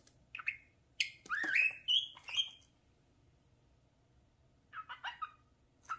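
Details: Parakeet kept as a pet, playing at a mirror and said to talk; short chirps, a rising then wavering whistled phrase, a long quiet gap, then a cluster of squawky notes.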